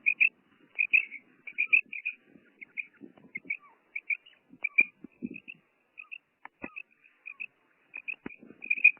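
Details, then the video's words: Female common quail giving bursts of high doubled notes, sometimes in quick runs, with soft low rustles and clicks behind. "Female quail sound| madi batair ki awaz | batair karkaree| Maadi Batair Ki Awaz| Female Common quail"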